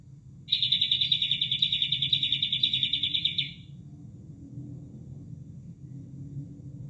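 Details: Kapas tembak bulbul song used as training material for caged birds: a rapid, even trill of sharp repeated notes lasting about three seconds, then only a low rushing water sound.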